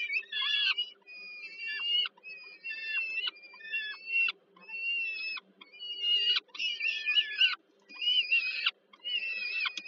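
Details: Peregrine falcon chicks in Warsaw, Poland, calling while being fed by their mother at dinner time on 15 July 2022, repeating short harsh wails roughly once per second, some breaking into rough, warbling screeches.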